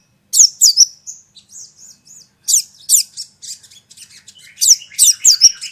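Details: Sogon lure for accustoming a caged bird to other birds' calls: loud, sharp downslurred whistles in pairs, separated by soft thin twitters, with the pair returning near the end.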